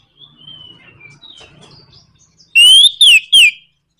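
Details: Orange-headed thrush, nraktak konslet provocation song meant to make other birds sing readily. Faint descending whistles come first over a soft low murmur. Three loud, ringing slurred whistles follow, each lasting about a third of a second.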